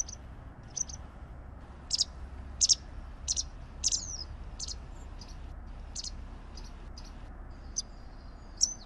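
A white wagtail gives sharp, high chirps in loose bursts, roughly one or two a second, over a low steady rumble.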